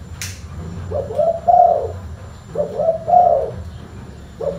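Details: Full-bass spotted dove cooing: a brief click, then two low throaty phrases of stuttered lead notes and a sustained coo, and the start of a third at the end.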